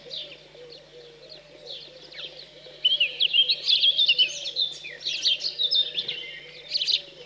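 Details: Fledged house sparrows begging while fed, central France countryside, 15 June 2020, a cold day; quiet opening, then from about three seconds a dense run of rapid, harsh chirps, roughly two per second, over a low constant hum.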